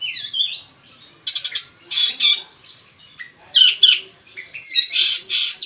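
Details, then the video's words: Long-tailed shrike in full song with unique imitated phrases, delivering harsh squawky bursts and sharp clicking chatter alternating with quieter thin whistles, phrases separated by brief gaps of near silence. "burung cendet gacor full isian unik"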